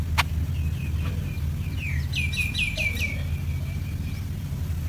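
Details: A baby yellow-vented bulbul, after an ant attack, gives a quick run of about eight high, down-slurred chirps, with a steady low rumble of traffic underneath.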